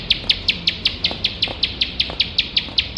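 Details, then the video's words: Ciblek sawah (bar-winged prinia), a competition bird singing nonstop in the rapid 'nembak' style used as a training recording: sharp, high chip notes repeated about five per second, about sixteen in all, with faint low background rumble. "ciblek sawah gacor nembak nembak tanpa HENTI"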